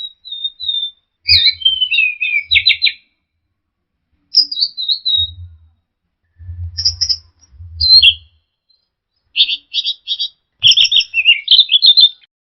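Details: Orange-headed thrush song used as a lure to prompt stressed birds that have stopped singing: varied whistled phrases, some falling slurs and rapid buzzy notes, in bursts separated by short pauses, with low rumbling in the background.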